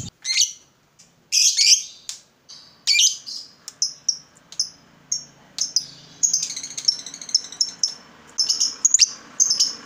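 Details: Lovebird calls aimed at prompting a quiet lovebird to sing: irregular shrill chirps and rasping squeaks, some short and clipped, others grouped into quick chattering runs, with a faint low hum beneath.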